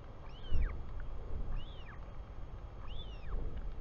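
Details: Chick of a royal albatross, New Zealand, calling as its father comes home on 24 July 2020 in the afternoon: three downward-curving whistled wails about 1.3 seconds apart, with constant wind roar beneath.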